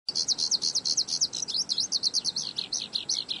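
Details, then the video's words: Oriental skylark singing at Zhushan in late May 2011: a fast, continuous run of high, sharp chirped notes, about three per second, with little background noise. "小調歌王~小雲雀 Skylark~Folk song star"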